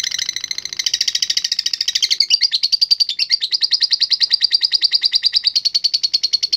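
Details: Lovebird of the latah contest type in full song, a song meant to draw out rivals. It delivers a long unbroken chattering trill of rapid, evenly repeated high notes, roughly three per second, shifting slightly in pitch partway through.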